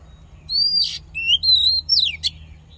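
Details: Oriental magpie-robin fighting song for voice training: clear, sustained high whistles broken by raspy bursts, with a long level whistle and a falling slurred phrase, over faint low hum.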